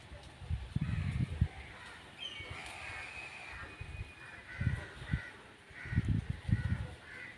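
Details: Crow calling with a series of short harsh caws, spaced irregularly through the recording, against steady background hiss and intermittent low thuds.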